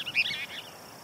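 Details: A group of Cassin's kingbirds (Tyrannus vociferans) communicating from a hilltop perch where they sally for insects, El Modena Open Space, Orange, California: a quick half-second burst of harsh, chattering high notes, then faint background hiss.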